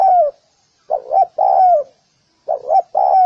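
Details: A clear spotted dove coo, used for training birds: a wavering double note, then a long, smooth, falling coo. The phrase comes twice in quick succession with little other sound.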